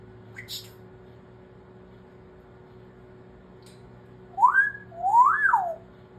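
A grey parrot gives two clear, loud whistles, each swooping up then sliding back down, over a faint indoor hum with a soft click just before.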